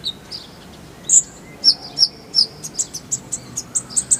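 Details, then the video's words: Kolibri ninja sunbird in a full-fill tutor style: thin high chirps that speed up into a rhythmic series of short, piercing notes of even loudness. "Masteran Kolibri ninja full isian, Roll tembakan Suara jernih"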